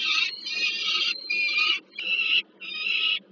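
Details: Warsaw Peregrine falcons, Żerań heat plant, 15 August 2022, with food being delivered to a bird at the nest. Long, harsh, nasal wails, about four in three seconds, drawn out and slightly wavering. A soft background rumble runs throughout.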